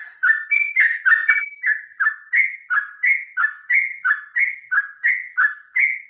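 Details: Sooty-headed bulbul in lively, long fighting-style song meant to spur other birds to sing: a steady run of bubbly, slurred two-part notes, about three each second, each dipping then lifting, with a few brighter high accents early on.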